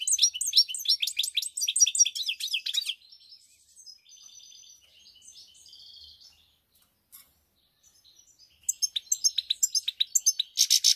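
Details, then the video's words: European goldfinch song from 7 March 2021: a loud burst of rapid twittering and trilled notes, then a quieter stretch of thin whistles and soft chatter, ending in strong rhythmic repeated chirps. "GOLDFINCH SONG"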